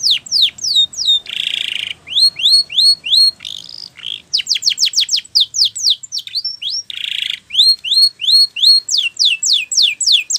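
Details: Training song of a Spanish Timbrado canary: loud, fast rising whistles in long rhythmic runs, alternating with harsh buzzy trills and metallic rattling phrases, with no other sounds.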